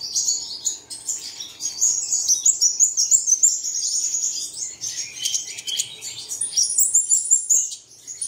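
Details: Early-morning bird song meant to spur caged birds to sing: very fast, high chirps, about three per second and irregular, forming a continuous twittering chatter over a quiet background.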